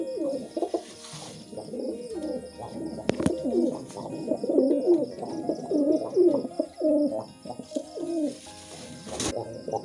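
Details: Pigeons during mating give low, throaty, rolling coos that overlap almost without pause, roughly one phrase every second or so, with faint room hum behind.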